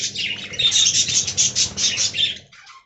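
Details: Loud, fast budgerigar warbling from an aviary colony, a rippling string of high chirps and whistled notes that stops abruptly near the end, leaving only a few faint calls.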